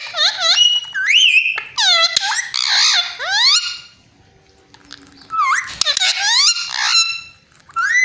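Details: Talking parrot imitating a cat: bursts of curved, meow-like harmonic notes and rising sweeps, a quiet pause of about a second, then another lively run of squeaky glides.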